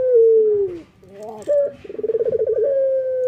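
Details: A male local Barbary dove in morning song gives a long falling coo, then a short note and a quick pulsed roll that ends in a steady held tone.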